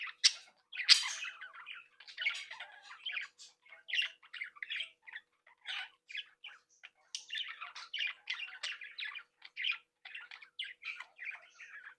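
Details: Captive budgerigar breeding flock, playful young birds interacting, chattering and singing: a near-continuous stream of harsh, buzzy chirps and squeaky warbles, roughly ninety short notes a minute in loose, irregular rhythm.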